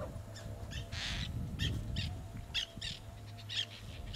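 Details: Black-naped terns at their breeding site on reef rocks, Ishigaki Island, Okinawa, Japan: short, harsh, rasping notes, about ten in quick, uneven series, some drawn out, over a steady low rumble of wind or surf.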